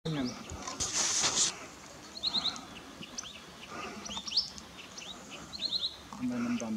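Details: Verditer flycatcher at Eaglenest, India, giving short, high, slurred chirps in small clusters every second or so, with a brief rustling burst and a human voice at the start and end.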